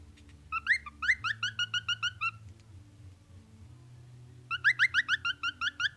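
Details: A male cockatiel showing off in front of a mirror sings in rapid bursts of bright, rising whistled chirps, repeated several times each second.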